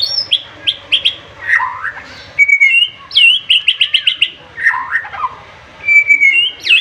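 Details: White-rumped shama, or murai batu, in a full, heated song meant to get rival birds calling back: dense whistled phrases, a fast string of about six repeated sharp notes, then warbles and a long rising whistle.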